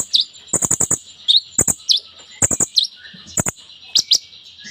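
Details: Kolibri ninja sunbird in rich lure song for silent birds. Clusters of rapid rattling clicks alternate with sharp high V-shaped chirps over a faint steady high hum.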